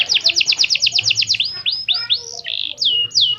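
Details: Canary song used as a lure to prompt other canaries to sing: rapid run of high descending chirps, then slower drawn-out whistled notes sweeping down and rising, bright and loud, with a faint low hum beneath.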